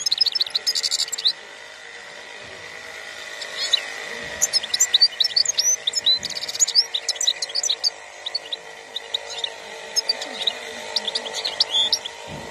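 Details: European goldfinch, khalwi song style, 2021: an opening buzzy rattle, then a long stream of rapid, bright, high twitters, slurred whistles and chirps running almost without pause, over an even mechanical hum.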